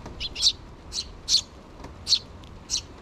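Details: Begging sparrow nestlings, two chicks that have not left the nest, June 2023: quick bright chirps, about five in three seconds, some doubled, high and clear.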